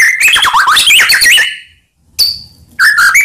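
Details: Song of a white-rumped shama, played as a lure to rile other shamas: fast warbled whistles rising and falling, a silent gap, then a high thin whistle and renewed melodic phrases.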